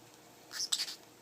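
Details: Pet parrotlet talking indoors, taught phrases such as "pretty bird" and "where's the kitty": a quick, very high, squeaky phrase of two or three clipped syllables, like a tiny mimicked word, against a quiet background.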